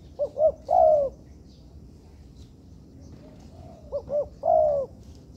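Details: Young spotted dove under training in a man-made yard repeats its coo twice, roughly four seconds apart. Each phrase has two brief, bouncy lead-in notes followed by a drawn-out, mellow final note. Faint background hiss.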